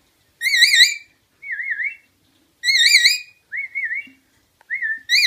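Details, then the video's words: Pet rainbow lorikeet in a whistle game, mimicking a tune whistled by its bird-sitter: a rich, wavering, trilled whistle phrase alternates with a person's pure warbling whistle, taking turns about every second. "Playing whistle game with LipLip the rainbow lorikeet"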